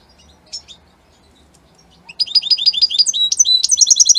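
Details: European goldfinch, Italian type, gives a couple of faint chirps, then after a pause bursts into fast, bright twittering song with ringing repeated notes until the end.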